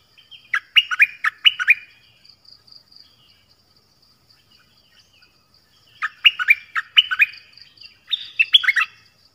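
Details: Malaysian Pied Fantail singing many song phrases. Two bursts of quick, bright, down-slurred whistled notes, roughly six each, separated by about four seconds of quiet, with a faint steady high hum throughout.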